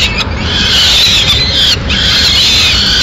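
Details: Harsh, sustained screaming from a peregrine falcon nest in Madrid on 6 May 2016 while the female delivers a pigeon. Two long rasping wails are split by a short pause, with a steady low hum beneath.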